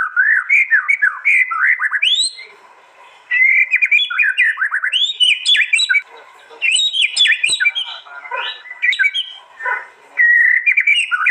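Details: Contest-arena song of a white-rumped shama, East Java, recorded on an Android phone for a master compilation. Varied loud whistled phrases, swooping and slurred notes mixed with sharp chips, delivered in bursts separated by short pauses.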